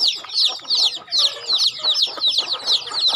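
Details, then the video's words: High, piercing descending peeps from chickens being fed on a farm, repeated in rapid pulsing groups over light background scratching. "Feeding chicken in my farm"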